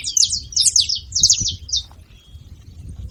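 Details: Short burst from saffron finches: three or four tight clusters of buzzy, high, rapid chirped notes in the first two seconds, followed by near silence with faint low noise.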